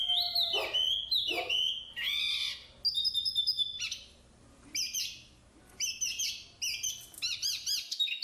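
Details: Black-capped babbler singing a varied phrase: two loud downslurred whistles, then a rising buzzy note, followed by short bursts of bright chattering notes and quick trilled clusters with brief pauses between them.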